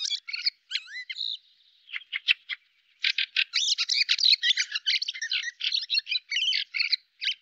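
Fieldfare: a few squeaky whistled notes and dry clicks, then a fast, harsh, scratchy chattering that runs on without pause. No other sounds.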